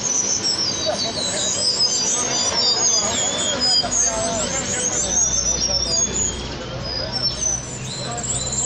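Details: Several Cuban bullfinches in Cuba, fighting and singing: dense, high, rapid twittering and thin whistled notes in overlapping bursts, over a low background murmur of voices and traffic.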